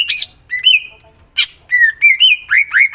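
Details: Greater green leafbird singing actively with a full repertoire of fill-in phrases: loud, clear whistled notes that rise and fall, some sliding, and brief harsh buzzy bursts, in quick bright phrases separated by short pauses.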